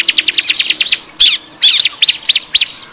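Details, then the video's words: Bar-winged prinia calls played as a lure to draw in wild birds: a fast series of sharp high chirps, then spaced, louder scratchy chip notes. "suara pikat ciblek ribut ampuh"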